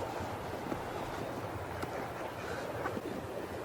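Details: Wind buffets the microphone over a steady rushing, watery background, and no animal calls can be heard.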